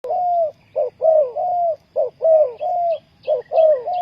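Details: Spotted dove (Spilopelia chinensis) cooing song: a rhythmic run of soft, hollow coos, short notes alternating with longer slurred ones, while faint high chirps of small birds sound behind.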